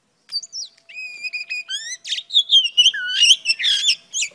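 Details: Female oriental magpie-robin singing to stimulate males: begins with thin clear whistles and rising slurs, then builds into a louder, busier warble of twisting whistled and buzzy notes.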